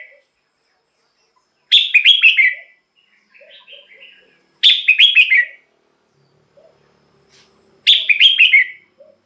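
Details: Red-whiskered bulbul in a cage, its song played as a decoy or to make other birds excited. The same bright phrase of several quick, descending whistles repeats about every three seconds, with faint softer notes between.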